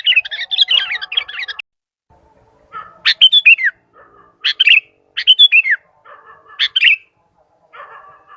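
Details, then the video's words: Vocal sooty-headed bulbul calling out to other bulbuls, opening with quick bubbly chatter, then short bright phrases of sharp descending notes repeated roughly every second, with soft low twittering between them. "Suara Burung Kutilang gacor memanggil"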